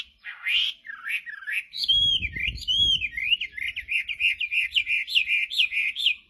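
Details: Chinese hwamei pouring out loud whistled song, swooping looped notes then a rapid even series of short rising-falling whistles, with low thumping noise in the background.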